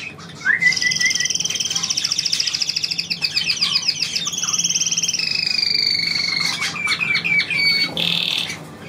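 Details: Pet bird trilling on its owner's command: long rapid trills, some steady and some sweeping downward, run almost unbroken for eight seconds, ending in a brief buzzy burst.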